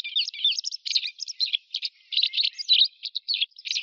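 White wagtail giving a rapid, continuous run of high, thin chirps and twittering notes, several per second, with no other sounds.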